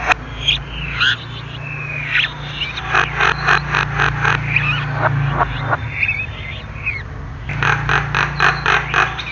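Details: Lively Javan myna song mixing twisting whistles with long runs of rapid harsh chattering notes, a short pause, then more grating bursts and clicks, over a persistent low hum.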